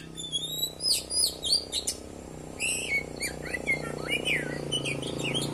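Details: Oriental magpie-robin, called kacer, sings quick high whistles and downslurred notes in clustered phrases over a noticeable broad background hum and rumble.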